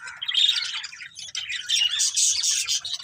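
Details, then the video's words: A breeding pair of colourful budgerigars chirping: dense, rapid, high-pitched chattering twitters and scratchy squawks running almost continuously for three seconds, with brief dips between bursts. "Colourful Budgies Chirping Sounds"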